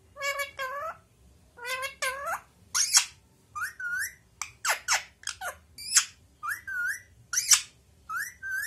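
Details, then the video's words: Parrot talking: a run of short, nasal, speech-like phrases and rising whistled syllables, broken by a few harsh squawks, about a dozen bursts spaced by brief pauses. "talking parrot"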